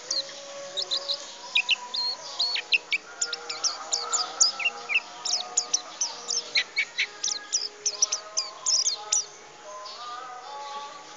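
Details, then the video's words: Ngriwik teler song of a mountain white-eye, Tegal: a long, busy stream of high, sharp chirps delivered in quick clusters with brief pauses, while softer sustained lower tones run underneath throughout. "Pleci mountanus ngriwik teler"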